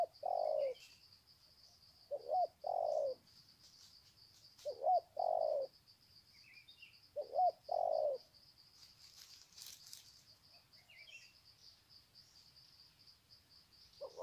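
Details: A long greeting coo sequence from spotted doves on the ground, Sê San, 21 February 2020. Low double coos come every few seconds, with a gap in the middle. Soft chirps, a brief rustle and a constant high insect tone accompany them.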